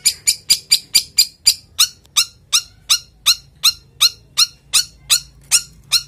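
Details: Male long-tailed shrike in breeding condition, kept as a songbird: a rapid series of about sixteen harsh, scratchy chattering notes, fast at first then slightly slower and evenly spaced, each a broadband rasp.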